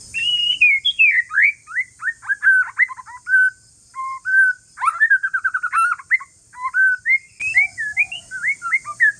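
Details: White-rumped shama of Aceh forest lineage singing relaxed song to make other shamas answer: rich varied whistles, rising and falling slurs, a rapid rattling trill mid-clip, and sharp upward notes, over faint low hum and constant high hiss.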